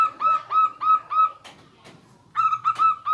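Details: Yellow-vented bulbul in garuda and rough ngriwik song styles, used to train young birds: a steady series of clear, downslurred mid-pitched notes, broken by a few sharp clicks and a brief gap.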